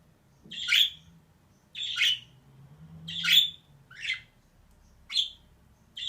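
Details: Female budgerigar, a caged pet, uttering a series of harsh, buzzy chirps roughly every second, the later ones shorter and thinner, with a soft low hum behind.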